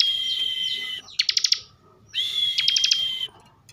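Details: Bar-winged prinia kept in a cage in Slawi, Tegal, Central Java, giving 'bren' song: a sustained high whistle with dense rattling clicks, then a pause and a second whistled, clicking phrase.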